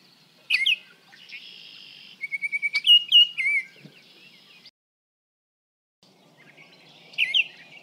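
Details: Baltimore Oriole about 55 feet away: rich, flutey whistled notes mixed with a quick run of short chattery notes, repeated after a brief pause. The background is quiet.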